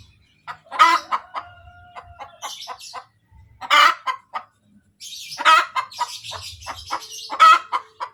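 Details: After laying, a hen cackles 'kotek kotek': short staccato clucks build to loud broad squawks, with a long steady tonal note early on and busy higher chatter in the second half.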